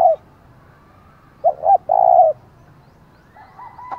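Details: Decoy spotted dove calling 'thúc' in the 'giọng thổ' style to draw wild rivals; the tail of a coo, then two quick hoots and a long steady coo, with a thin whistle from another bird at the close.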